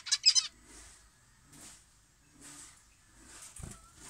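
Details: A zebra finch in an aviary at 6:30 am, cool weather with a gentle breeze, during the flock's morning gathering and breakfast, gives a quick burst of nasal, honking beeps, followed by faint rustling.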